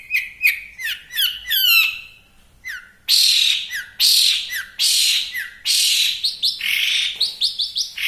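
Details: Long-tailed shrike singing hard for a tutoring recording: clear downslurred whistles and a quick descending run, a short pause, then loud harsh squawking bursts and rasping notes.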